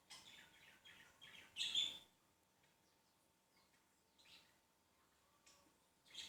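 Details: Ring-necked parakeet chatting away: a run of short, harsh, high-pitched chattering notes over the first two seconds, the loudest near the end, then quiet with a few brief scratchy chirps and a final burst.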